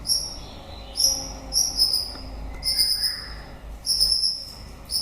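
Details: White-rumped shama near the end of its breeding season giving clipped, very high whistled notes roughly once a second, some slightly wavering, with a few faint lower slurred whistles underneath.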